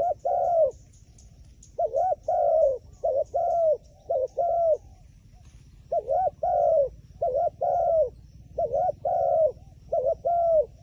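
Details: Wild pigeon, described as clever and shy of a phone camera, cooing loudly in rounded, hollow phrases of two or three notes, delivered in bursts separated by brief pauses, with faint high ticking behind.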